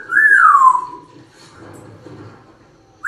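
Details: African grey parrot, talking and whistling: one loud whistle that rises then slides smoothly downward over about a second, followed by quiet murmuring room sound and a short rising note at the end.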